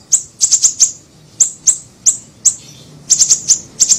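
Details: Lure recording of a small siri-siri bird: loud, very high, sharp chip notes, some single and some in quick clusters of three or four, with brief pauses between.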